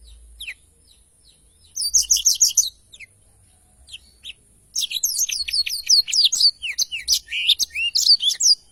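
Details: Long rolling Blackthroat song in clean audio: a short burst of rapid high chirps, a pause with scattered single notes, then a sustained run of fast, varied twittering and slurred whistles.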